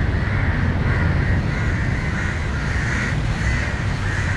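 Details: Crows in Matara, Sri Lanka, shouting against a dog that approaches a crow struggling on the ground. One flies over the dog repeatedly to chase it. Harsh caws come roughly every second over a steady low rumble of traffic.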